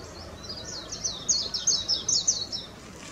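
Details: Japanese white-eye, Zosterops japonicus, delivering a rapid burst of high, sweet chittering notes, about two and a half per second, rising and falling in a jumbled warble over low background noise.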